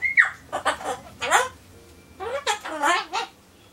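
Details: Solomons corella kept as a pet, talking cheerfully in human-like words while waiting for pumpkin: a short falling whistle, then a string of voiced, syllable-like phrases in two groups with a brief lull between, indoors.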